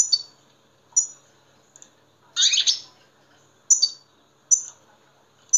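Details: European goldfinch sounds used to stir caged goldfinches: sparse, sharp, high chirps spaced about a second apart, plus one brief harsher burst, in near silence.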